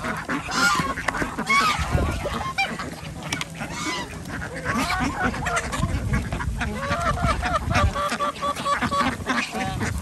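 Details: Organic farm ducks in Andhra Pradesh, India, at feeding, mixed with chickens and geese; nonstop chattering quacks and short honks from many birds, over low rumbling handling noise.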